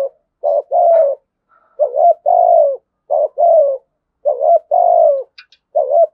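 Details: Thổ sấm-style spotted dove cooing: repeated pairs of a short hooting note and a longer descending coo, spaced by short silences, with a faint high click near the end.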